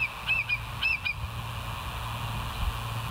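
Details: Bald eagle at West End on a live nature cam, recorded 09/12/2023: a quick burst of about four short, high chattering chirps with harmonics within the first second, then only a steady low rumble.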